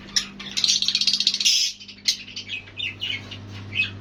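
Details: Lovebirds calling: a fast run of buzzy high chirps, then scattered short whistled notes over a steady low electrical hum.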